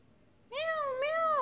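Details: Pet grey parrot talking indoors with its owner, copying a cat's meow: two clear, tonal, meow-like notes, the first rising then dipping, the second swelling and falling at the end, with a quiet room behind.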